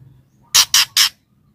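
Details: Female white-rumped shama calling to the male, giving three harsh, noisy chack-like bursts evenly spaced within half a second against a faint low background hum.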